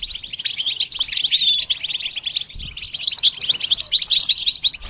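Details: Goldfinch being taught to sing, pouring out rapid, high, twittering phrases in two long runs separated by a short pause, the notes tinkling and slightly buzzy.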